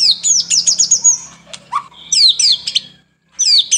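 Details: White-rumped shama (murai batu) in a masteran recording of lively morning and evening song. Loud downslurred whistles come in quick series, then a brief pause with a lower buzzy note, then more sweeping whistled phrases over a faint low hum.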